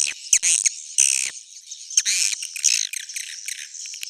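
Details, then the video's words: Swiftlet calls from an old-style recording: irregular bursts of harsh, high chirps and buzzy squeaks, with sharp clicks near the start and a thinner chattering tail. "SUARA JADUL Sudah Terbukti,swallow's original sound"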